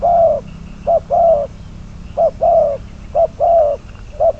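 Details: Decoy spotted dove, number 22, used in trapping, giving deep rounded coos, a brief note followed by a longer one, repeated in loose pairs over quiet background hum.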